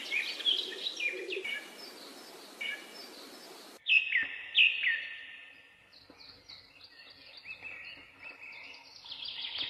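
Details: Young bulbul struggling to leave its nest, giving loud clipped chirps and short descending tweets, some doubled, at irregular intervals, over a faint hiss and soft background chirping.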